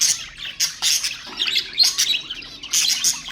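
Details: Budgerigar song for motivating other birds: pulses of harsh chattering roughly once a second, broken by brief thin whistles and soft gaps.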